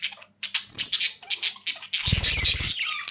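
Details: Budgies give a run of sharp, clipped chirps in quick succession, with a low fluttering rustle partway through.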